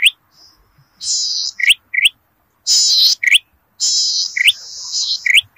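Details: Zitting cisticola song from Indonesian rice fields, used as a lure: short sharp upswept chirps alternating with longer buzzy, trilled high bursts, separated by brief silences.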